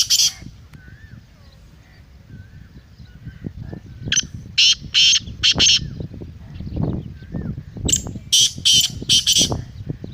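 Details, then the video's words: A black francolin (kala teetar) gives several bursts of loud, scratchy, grating syllables. The first burst comes at the start, then two clustered series of four to five rasping notes. Faint whistles from other birds and a low rumble sit beneath. "Kala Teetar masti aur chakri k liye behtareen awaz/Black Teetar Voice"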